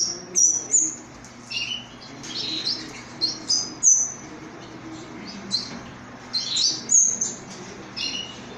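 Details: Orphaned canary chick whose mother has died, giving thin, high peeping chirps in short irregular bursts over a steady low background hum.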